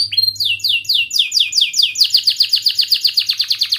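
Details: Young-canary training song: fast series of sharp upward-sweeping chirps repeated about four times per second, accelerating into a dense, clipped rolling trill.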